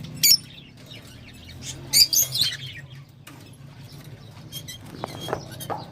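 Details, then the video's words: Lovebird calls: a brief piercing squeak, then a cluster of two or three shrill, harsh chirps a couple of seconds later, with faint scattered clicks and a constant low background hum. "تغريدروز/صوت روز /Love Bird Sound"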